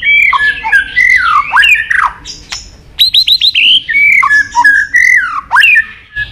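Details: White-rumped shama singing a varied, long training song of forest voices with clicks. Loud, fluty whistled phrases swoop up and down, with a quick burst of four identical short notes in the middle.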